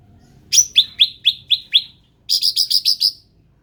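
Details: Endemic ruby-throated bulbul song: a run of six crisp, high, downward-slurred notes evenly spaced, then a pause and a quicker series of five bright buzzy chirps.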